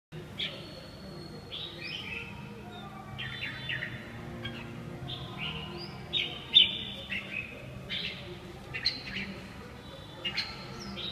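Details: Red-whiskered bulbul giving short, scattered, bright chirping phrases at a modest distance, with a low background rumble throughout.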